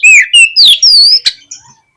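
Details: Oriental magpie-robin song played to provoke a lazy-tailed bird into fighting: three clear descending whistles, then a long rising-falling whistle and a short burst, before fading to silence.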